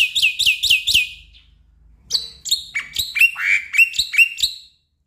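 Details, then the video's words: Black-winged myna as a prompt for a reluctant caged bird: four quick bright upswept notes, a brief silence, then a lively string of sharp, sliding chirps and whistles repeated about twice a second. "Pancingan Jalak Putih Stres Malas Bunyi"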